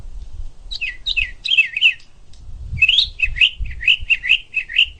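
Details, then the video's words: Bird uttering rapid bursts of short chirps and twittering notes in two clusters, with low background rumble. "चिड़िया की आवाज"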